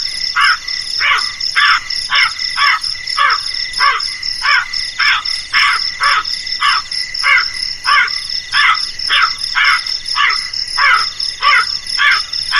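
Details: Long run of about twenty rasping crow caws, each short and scratchy, delivered in an even rhythm with a steady high-pitched insect drone underneath throughout.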